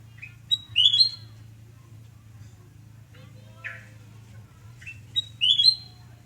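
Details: Morning song of a sooty-headed bulbul at home in Surabaya, recorded 29 November 2017: two bright whistled phrases of rising, ringing notes separated by a pause, over a steady low hum.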